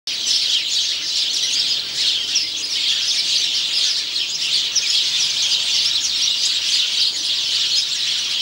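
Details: Male house sparrow singing, recorded 17 November 2009; dense, continuous high chirping and twittering runs without pause through the whole stretch, with a steady shimmer of overlapping notes.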